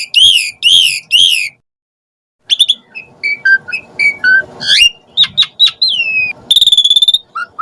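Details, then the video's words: Asian pied starling sounds meant to lure starlings into answering and singing: three harsh repeated notes, a brief silence, then varied whistles, slurred notes and a fast trilled buzz. "Suara Jalak Suren Auto NYAUT Emosi Cepat RESPON Buat Pancingan Burung Jalak Agar Gacor"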